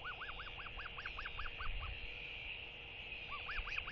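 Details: Northern royal albatross chick begging from a parent arriving at the nest to feed it in early morning fog. Rapid series of about nine arched, whistled 'whee' notes, then a pause and three more, over steady wind noise and low rumbles.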